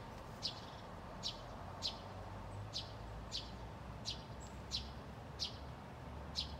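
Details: Eurasian tree sparrows, a pair calling in bushes at Haga on 24 August; nine quick sharp chirps in fairly regular succession, about every two-thirds of a second, over steady low urban rumble.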